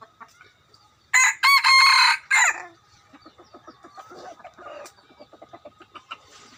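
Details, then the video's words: Rooster used as a decoy crows loudly, a hoarse drawn-out call in several bursts lasting over a second, followed by a quiet run of rhythmic clucks and soft chatter. "Gà mồi. Qaib dib cuab tuaj zoo"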